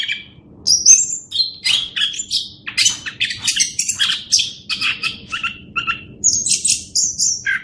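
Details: Orange-headed thrush, recorded as a master for teaching other birds: quick, scratchy and whistled high notes in rapid clusters, somewhat harsh in places, over low background rumble and hum.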